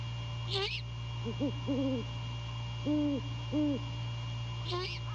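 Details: Male and female great horned owls meeting to mate in the early morning of January 15, 2022, at The Landings, Skidaway. Two shrill, wavering squeals bracket a short series of low, rounded hoots in pairs, set against a steady hum.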